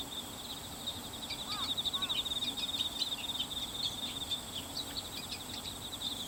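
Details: Bull-headed shrike, one bird possibly female, recorded 22 September 2015 with a Canon PowerShot SX60 HS and external mic, not giving its high-pitched call; harsh broadband notes in a loose burst, a few lower slurred notes, steady insect trilling throughout.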